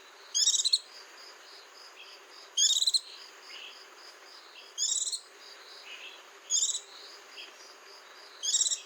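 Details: Short, sharp, high-pitched twittering phrases from a white-eye, five in about nine seconds, each under half a second long, against constant insect chirring in the background.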